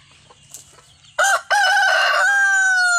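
A rooster crows loudly after a second of quiet: a harsh opening burst, a brief break, then a long drawn-out ringing note that slowly falls.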